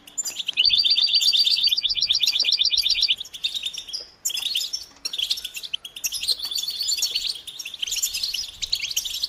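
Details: European goldfinch chatter recorded to stimulate males into singing: a loud, rapid ringing trill of evenly repeated notes lasts about two seconds, then breaks into quieter overlapping twitters and tinkling phrases from several birds.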